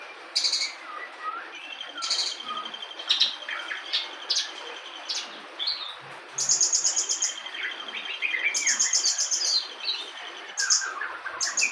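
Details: Local bush lark (branjangan) delivering full-repertoire song: very high buzzy rattling bursts lasting about a second alternate with thin sustained whistles and scattered chirps over an uneven hiss.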